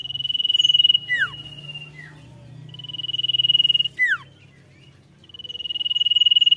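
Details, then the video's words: A sirtu songbird sings long, fast-trilled whistles on one high pitch, broken by quick downward-slurred notes, over a low steady hum. The song is used to provoke rivals. "Sirtu Gacor Bikin Emosi Lawan"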